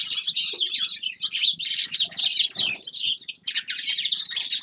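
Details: Winter chorus of forest birds: steady high-pitched chattering and trilled phrases flow continuously. A few faint lower clicks are mixed in.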